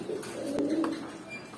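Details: Short burst of low, vibrating cooing from young adult pigeons eight or nine months old, ending in a loud knock.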